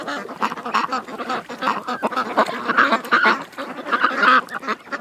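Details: A flock of ducks at a creek quacking continuously, harsh nasal calls overlapping in a busy chorus with irregular rhythm and no pauses.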